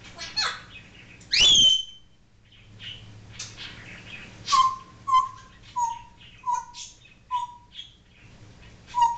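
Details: Pet African grey parrot indoors, talking and imitating barking and other noises: one loud harsh squawk, then a series of short, clear whistled notes roughly every half second, with soft clicks and chatter between them.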